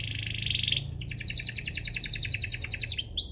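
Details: Brief domestic canary song used as a tutor for young canaries, a buzzy trill followed by a rapid high rattle of repeated notes, over a faint low hum.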